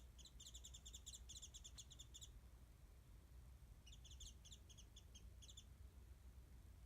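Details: Warbling white-eye in a tree above a backyard spot where mandarins are set out, recorded from afar on a smartphone; an opening two-second burst of rapid high chirps, a quiet gap, then shorter spaced chirp groups, over steady low noise.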